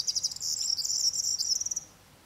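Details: Corn bunting (Emberiza calandra), song.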